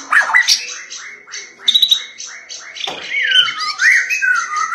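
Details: Insistent white-rumped shama song opening with a regular series of about eight short down-slurred whistles, followed by a varied stretch of loud twisting whistled notes and chatter.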